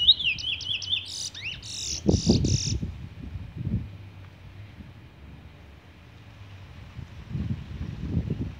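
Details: Chestnut-bellied seed finch, known in Trinidad as the bullfinch, sings a quick series of bouncing whistles, then buzzier rasping notes, lasting under three seconds; low thumping and rumbling noise follows.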